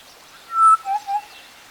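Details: Western black-headed oriole (Oriolus brachyrynchus), call.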